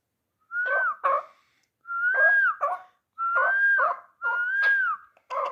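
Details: Three-year-old hunting chukar partridge of the type called dulan: clear whistled notes that rise and then bend down, each followed by short harsh bursts, in four phrases about a second apart.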